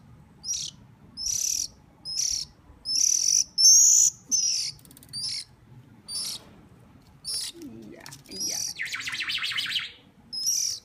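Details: Hungry bird begging during hand-feeding: a rapid series of high, shrill squeaks, several per second at first, later broken by a lower, buzzy rasping call and soft handling noise.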